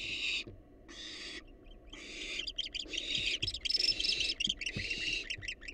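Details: Wild barn owls in a research-monitored nest box give two separate harsh hisses, then a long, rough screech breaking into fast, irregular chittering rasps, with faint low thumps underneath.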